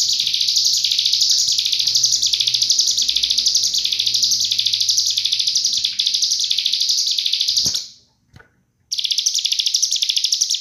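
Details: Cigun master song in tight 'nembak' style, meant to train murai, kacer and cucak ijo. A long, shrill, pulsing trill is followed by a click, a second of silence, and then the song returns. Faint low hum.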